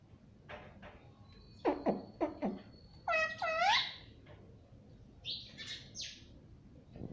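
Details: Pet rose-ringed parakeet said to talk "mummy papa": a few short harsh syllables, then a rising harmonic call with bending overtones around three seconds, and later a brief burst of higher buzzy notes over low room hum.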